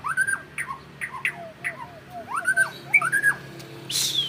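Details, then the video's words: Captive-bred white-rumped shama singing in a long-phrase style: a varied run of clear whistled notes, some rising, some falling, with a few harsher squawky accents, then a sudden noisy burst at the end. "Burung Murai Batu Trah Jawara Vegas BF Tembakan Panjang Bikin Musuh Down Mental"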